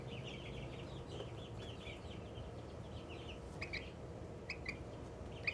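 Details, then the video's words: Little Australorp chicken, excited, making happy sounds: a soft, quick string of high cheeps early on, then a few sharper isolated peeps, over a low background rumble. "Excited little Australorp makes happy sounds"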